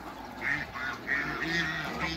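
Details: Hybrid Cayuga and female Muscovy ducks meeting: a few soft, hoarse quacks in quick succession over a steady low hum.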